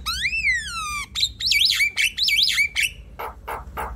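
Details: Javan myna singing, played to coax a silent bird: a long falling whistle with rich overtones, then repeated wavering whistled swoops and three rough, buzzy notes to close.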